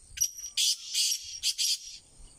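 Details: Black francolin (kala teetar) calling: a short opening note, then four loud, harsh, buzzy bursts in two close pairs, grating and high-pitched, over near silence.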